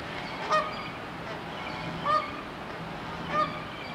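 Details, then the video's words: Canada geese squabbling: three separate nasal honks spaced about one and a half seconds apart, each brief and slightly rising, over a steady low background hum. "Bernaches qui se chicane"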